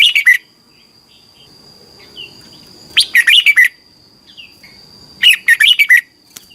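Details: Thai red-whiskered bulbul singing, a recording meant to teach young birds: three loud phrases of jumbled bright whistles about two and a half seconds apart, with softer distant chirps between them and a faint steady high hum.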